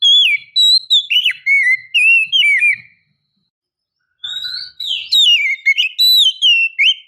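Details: Female Oriental magpie-robin calling to draw out and excite males: loud, clear whistled notes sliding down and up, quickly strung together in two long phrases split by a silent gap of over a second.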